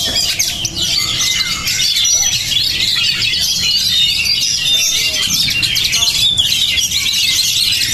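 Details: Spirited Oriental magpie-robin (kacer) in sustained high-pitched song: rapid twittering phrases, sharp chips and thin drawn-out whistles packed tightly without pause.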